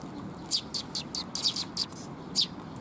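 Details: Sparrows coming to be fed near Mizukami Bridge on 19 June 2021; short, bright chirps scattered in loose bursts over a soft steady background hum.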